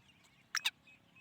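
Black francolin giving two quick, harsh, grating notes in close succession, loud and raspy against a quiet background.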